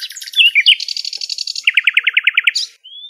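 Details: Nightingale recorded in natural surroundings in Greece, pouring out varied high twittering, a sustained buzzy trill, then about ten fast identical throbbing notes and a thin rising whistle at the end.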